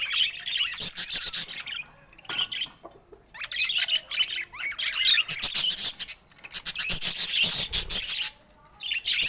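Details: Budgerigars kept as pets keep up a busy warbling chatter of quick, harsh chirps and squeaks, several per second, broken by short quiet gaps around two, six and nine seconds.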